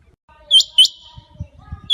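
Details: A rain quail gives sharp, high metallic whistled notes, a quick pair then another note about a second later, over a faint low background murmur; the call is used to lure quail when hunting.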